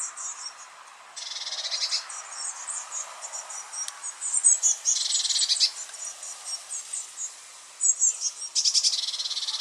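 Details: Young Eurasian blue tits calling: bursts of high, dense buzzy hissing begging notes alternating with thin, rapid high chirps, intensity rising and falling in waves.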